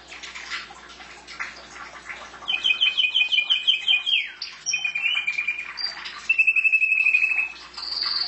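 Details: Pet canary song: soft scattered notes, then a rapid repeated trill, a falling slur, and further buzzy trilled phrases at steady pitches.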